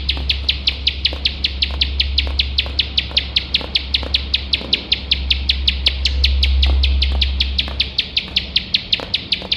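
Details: Competition-training recording of a bar-winged prinia in lively, unbroken 'nembak' song, a fast even train of bright, high chip notes about five per second over a steady low hum that swells midway.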